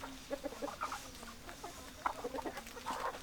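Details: Clucking hens with short rounded clucks, some doubled, and a brief higher squawk at the end, close and fairly busy.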